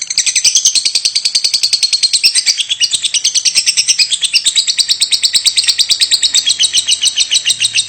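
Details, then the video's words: Lovebird giving its 'batuk' (cough) call nonstop, a bout said to last over nine minutes; dense, harsh, high chirps pour out in rapid succession, some blurring into buzzy trills, with no pause throughout. "Love bird Batuk terus tanpa jeda 9 menit lebih"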